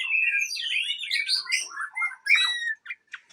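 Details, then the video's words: Aceh white-rumped shama kept at a breeding farm, giving a rapid jumble of high warbled and slurred phrases that drop lower, then ending in short separate chips. "Murai Aceh"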